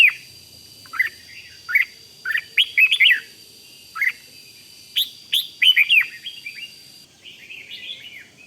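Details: Red-whiskered bulbul singing in the rik style, meant to excite other bulbuls: short bubbly whistled phrases of three to five notes, spaced about a second apart, with a steady faint high hum behind.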